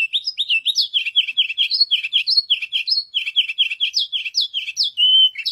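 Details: A white canary sings a varied warbling phrase: quick repeated looping notes at middle pitch, interspersed with higher upward flicks, closing on a sustained steady whistle before a last short note.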